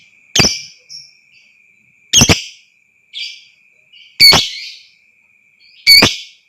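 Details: Lovebird lure sound meant to excite other birds into trilling: loud harsh screechy chirps, single and doubled, about every two seconds, with softer short chatter between, over a steady high whine.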